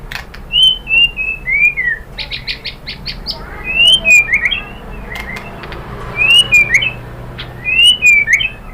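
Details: White-rumped shama (murai batu) lure song used to provoke other shamas into answering and showing their full repertoire: slurred whistled notes that fall and rise, broken by short buzzy bursts, repeating in quick phrases.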